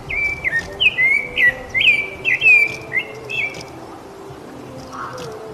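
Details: Brazilian rufous-bellied thrush giving a brisk series of rich whistled notes, several slurred phrases in the first three and a half seconds, then falling silent while a low faint hum continues.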